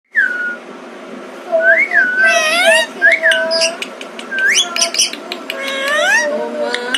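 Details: A rescued, uncaged pet Alexandrine parakeet talking and saying "Maa": wavering, harmonic voice-like sounds mixed with rising and falling whistles and sharp clicks. The bird is heard at close range with a low background hum.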